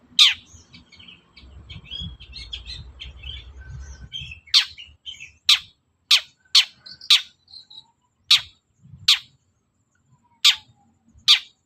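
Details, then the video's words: Morning Long-tailed shrike song meant to make other birds answer. A brief murmur of faint chatter gives way to loud, harsh, clipped single notes spaced roughly half a second to a second apart. "CENDET GACOR PAGI HARI BIKIN BURUNG APAPUN EMOSI NYAUT BUNYI"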